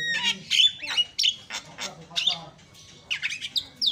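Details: Provocative Javan myna song meant to rile other mynas, made of irregular harsh squawks, grating chatters and sharp upslurred whistles in quick bursts with brief pauses between phrases.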